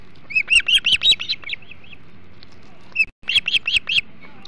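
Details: Ospreys at their Hog Island nest, feeding on a huge flounder at 08:05 on 21 July 2016; sharp, whistled chirps in a rapid, slightly uneven series for about 1.5 seconds, a brief pause, then another burst of five chirps.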